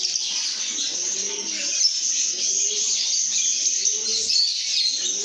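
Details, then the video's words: Contented lovebirds singing and chirping: steady shrill chatter of many overlapping squeaks, with brief swelling low notes now and then. "lovebirds make happy sounds"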